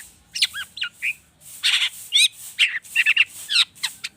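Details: Agitated long-tailed shrike delivering a rich mimicry fill meant to prompt other birds into song: quick varied chirps, a scratchy burst, then repeated whistled trills and clear high notes.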